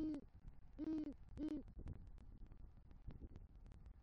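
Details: Male great horned owl at the nest with rodent prey, calling to the female, Southwest Florida, November 2023: three clear, deep hoots in the first two seconds, then only faint scratching and clicks.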